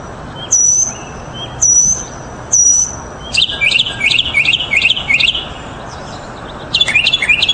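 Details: Mockingbird song that switches phrase types: three high drawn-out whistles, then a quick run of sharp chirping notes, then a burst of harsh mixed notes, with faint hiss behind.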